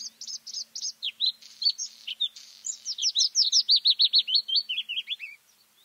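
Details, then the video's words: White-spotted bluethroat singing in May: a varied run of high chirps and slurred notes that speeds into a fast, even series of sharp repeated notes, then ends in lower twisting phrases. "A Bluethroat (Luscinia svecica cyanecula) song in May"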